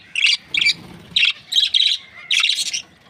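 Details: Budgerigars, Australian parrots kept as breeding pairs, chirping in short bright bursts, six clustered chirrups spaced about half a second apart, sharp and warbling, with a faint low background murmur.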